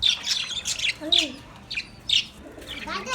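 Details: Caged budgerigars, happy and at play, give short high chirps roughly every half second, with a few soft lower warbled slurs between them.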